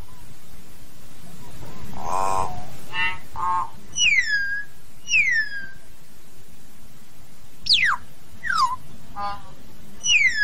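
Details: Common hill myna calling the flock with a mix of nasal squawks and clear downslurred whistles, repeated roughly every second or two, including one long steep falling whistle, over steady low-pitched background noise.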